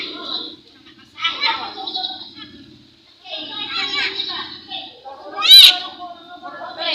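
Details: Talking myna, described as very chatty, imitating human speech: nasal, speech-like phrases with clear harmonic bands, paused briefly near the third second, then a sharp loud squeak and another burst near the end.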